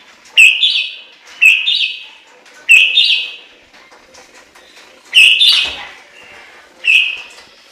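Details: Chinese hwamei singing: loud, rich whistled phrases, each about half a second long, rising then falling, repeated roughly every one to two seconds with short quiet gaps between.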